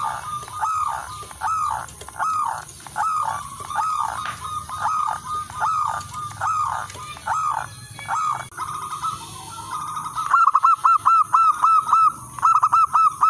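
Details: Local wild-type zebra doves singing vigorously, used to lure and tutor other zebra doves: mellow cooing notes repeated about every half second over overlapping birds, ending in a quick bubbling run of rapid even notes, with a steady high hiss.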